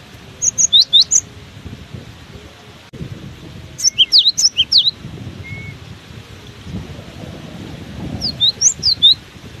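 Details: Cinereous tit singing strongly through heavy wind, delivering three separated bursts of rapid high whistled chirps, the middle one longest at about eight notes, with constant low wind noise behind.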